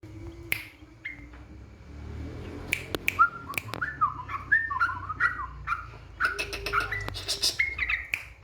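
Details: Yellow-vented bulbul song played as a lure to provoke rival birds: short liquid whistled phrases, some rising and some falling, in bursts between three and eight seconds, mixed with sharp clicks and taps and a low rumble underneath.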